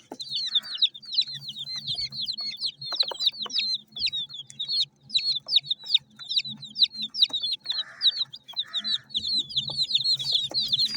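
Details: Chicks of mixed colours feeding, peeping loudly and almost without pause, quick high chirps tumbling over each other, with a few brief scratchy pecking sounds and a faint background hum.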